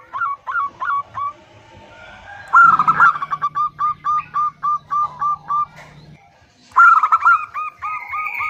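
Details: Calling female zebra dove addressing a male: short groups of clipped coos, then a long evenly paced string of about ten notes over a steady low hum, ending with a louder trilled burst.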